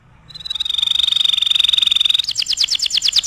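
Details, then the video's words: Tutoring song of a canary, meant for teaching other birds: a steady, high rolling trill held for nearly two seconds, then breaking into slower, louder pulsed notes. "SUARA KENARI GACOR AMPUH UNTUK MASTERAN"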